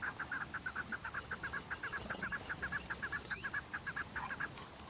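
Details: Chukar partridge giving a continuous quick series of clucking chuk notes, interrupted twice by a short high squeaky chirp.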